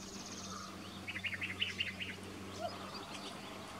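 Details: Two male Arabian woodpeckers harry each other on a spring morning outside Abha, Saudi Arabia; one gives a quick burst of about eight sharp, chattering notes after a thin high trill, over a low steady hum.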